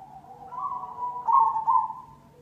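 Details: A cemani zebra dove sings a lure phrase to encourage other doves: soft cooing builds into two stronger, vibrating rolled notes before fading out.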